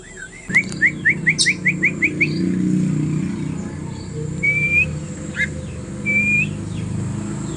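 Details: Oriental magpie-robin singing in the ngobra style, offered as learning material for birds: a quick run of eight rising whistled notes, then long, level, clear whistles with pauses between. A low rumble of traffic runs underneath.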